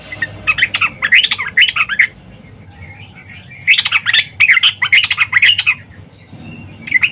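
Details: Female yellow-vented bulbul calling a male during the morning, meant to lure males into song; bursts of bubbly, warbling chatter come in two main phrases with a quiet gap between, plus a brief closing note.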